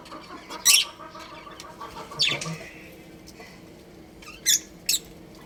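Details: A breeding pair of pet budgies makes short, shrill chirps: one early, a scratchy squeak near the middle, then two quick piercing chips close together at the end, over a low steady hum.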